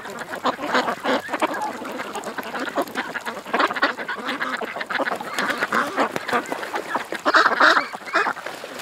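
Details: Flock of ducks at a creek, many birds calling at once in a dense chorus of harsh, overlapping quacks and chatter.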